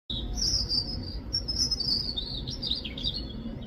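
A robin gives a high, thin stream of chirps and twittering notes, turning more broken and warbled near the end, over a steady low background rumble.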